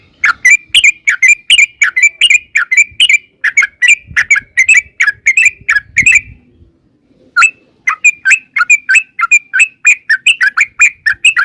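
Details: Yellow-vented bulbul delivering long 'ropel' lure song to make birds reply: two extended runs of rapid, bubbly whistled notes separated by a short pause with faint low hum.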